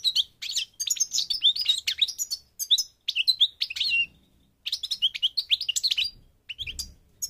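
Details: European goldfinch, parva subspecies of Morocco, North Africa, in a long sequence of fast, liquid twittering and scratchy buzzes, one pause of about half a second, then more rapid chirping.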